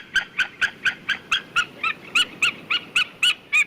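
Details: A white-tailed eagle's series of about fifteen short yelping notes, spaced roughly four per second, that grow louder and rise slightly in pitch toward the end.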